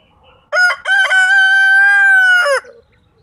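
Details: Rooster crowing, one of several roosters kept as pets: a loud harmonic cock-a-doodle-doo lasting about two seconds, two short opening notes then a long sustained steady tone ending in a brief drop, in quiet surroundings.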